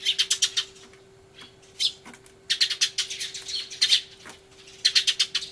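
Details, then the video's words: Noisy sparrow uproar, 24 March 2013, Everio camcorder, with a turtledove among the birds: a quick run of sharp chirps, a quieter stretch with odd single notes, then energetic bursts of overlapping shrill chatter. "スズメの鳴き声（大騒ぎ！音量注意） Crying Sparrows"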